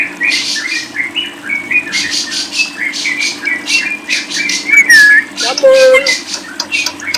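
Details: Lovebird song made of buzzy, high chattering phrases, with a brief clear whistle near the middle and a lower sustained tone toward the end. A steady hum runs in the background.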